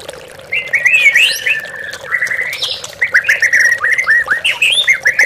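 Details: Lure song of an oriental magpie-robin for training caged birds. Sliding whistles lead into a sustained buzzy phrase, then a quick series of short downslurred notes, over trickling water.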